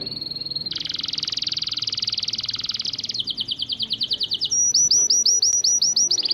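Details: Syrian local canary singing to teach and encourage chicks to sing: a fast high trill shifting through several sections, a buzzy rolled phrase, then quicker repeated notes and sweeping whistled slurs.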